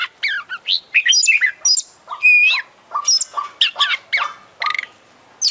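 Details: Oriental magpie-robin, beak and tail opened, delivering full 'gacor' song with 'isian' fills: varied bursts of high whistles, buzzy notes and quick descending slurs separated by short gaps, loud and close.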